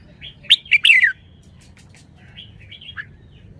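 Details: Red-whiskered bulbul giving one loud phrase of three rapid whistled notes, the last sliding downward, followed by softer, fainter warbles over a steady low hum.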